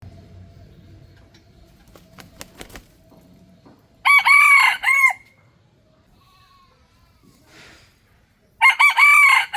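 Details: Wild Red Junglefowl rooster crowing in a peaceful natural setting: two loud, harmonic, multi-part crows, one at mid-clip and one at the end, with clicking knocks and quiet background between.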